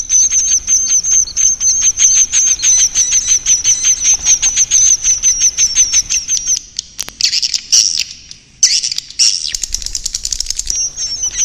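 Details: Swiftlet call recording used to draw swiftlets to roost: dense, rapid high chirps and twitters repeated about three times a second for six seconds, then broken bursts of buzzy chattering after a short gap.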